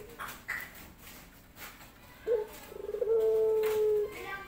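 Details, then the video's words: Male dove wooing a female: after quiet background sounds, a short note, then a rapid stuttering series building into a long, even, low-pitched coo held over a second. "Rintihan Pelung Jantan Mencari Betina"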